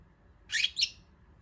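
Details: Jumbo budgerigar sneezing after basking in the sun: a single abrupt, hissy double burst, two quick high noisy puffs, with a faint low hum behind.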